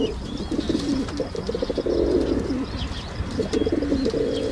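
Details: Pigeons cooing in overlapping low, throaty, rolling phrases that run almost without pause, with faint high chirps of other small birds above.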